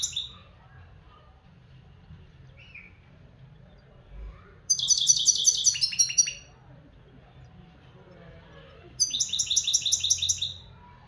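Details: Two bursts of quick, high, tinkling and buzzy notes from a local European goldfinch, separated by several seconds of near silence. There are faint short notes early on and a steady low hum throughout.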